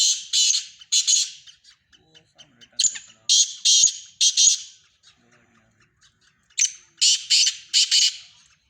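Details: Black francolin, a Sindhi bird, repeating its harsh call: three grating phrases of several rasping, buzzy bursts each, separated by a few seconds of faint ticking.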